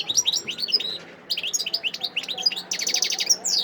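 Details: Wild European goldfinch singing in Sidi Bel Abbes, Algeria, on 17 December 2021: quick, bright twittering of short sliding notes, a brief pause, then renewed chattering ending in a fast run of repeated clipped notes and a rising whistle.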